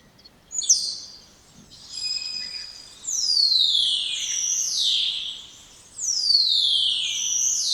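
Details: Spotless starling song: a sharp opening note, a steady high whistle, then three long, loud downward-sliding whistles spaced about one and a half seconds apart.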